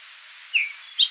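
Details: Eastern Towhee giving a brief song, a clear mid-pitched note then a higher buzzy trill, cut short in about a second, faint background hiss; recorded at Rondeau Park in June 2013.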